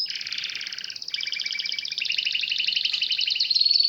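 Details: Singing canary delivering dense rapid trills, two layered rolling phrases running together without pause and climbing slightly toward a thin whistled close.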